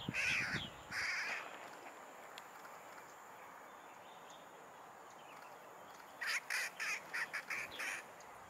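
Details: First-winter Daurian jackdaw in winter plumage, Hong Kong, 2 December 2023, giving two sharp, harsh calls, a pause, then a quick run of about six short 'chak' notes over faint background hiss.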